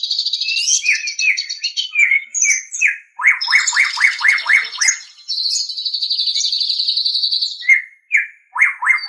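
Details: White-rumped shama song recorded for training captive birds: a fast, varied outpouring of high trills and whistles, including a series of downslurred notes and a long sustained buzzy trill, loud and continuous.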